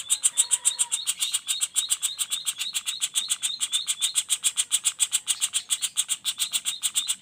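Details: Juvenile common flameback in a non-stop roll: very regular, fast, high, dry ticking notes about three and a half per second, with a faint low whistle at the start.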